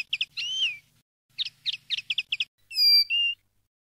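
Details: Common linnet song used for tutoring young linnets: a slurred whistled note, then quick clipped twittering chirps in bursts, ending with two clear ringing whistled tones, the second steady and held.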